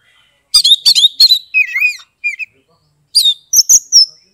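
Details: Oriental magpie-robin song from Kebumen, Central Java, Indonesia, played to stir mute or lazy birds into singing; rapid run of chirps, then a lower warbling phrase, a short pause and high thin whistles ending in a long note.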